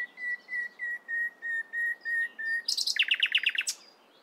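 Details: Nightingale singing in the morning: a run of about eight clear, even whistled notes on one pitch, four per second, then a sudden fast, harsh rattling trill, all in quiet surroundings.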